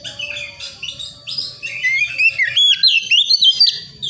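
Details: Young wild White-rumped shama of the Priangan type from the forests of West Java, learning its song: thin rising whistles and twittering phrases, growing into loud rapid slurred notes repeated about three per second in the second half.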